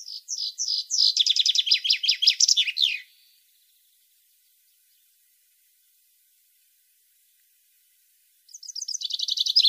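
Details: European goldfinch song played for captive goldfinches to learn from and to stimulate them: a rapid, high, tinkling twitter of repeated chirps for about three seconds, then five seconds of silence before the twittering resumes near the end.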